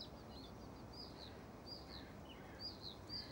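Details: European stonechat: short high chirps and twittering notes, sometimes with quick downward slurs, scattered through the clip over steady outdoor background noise.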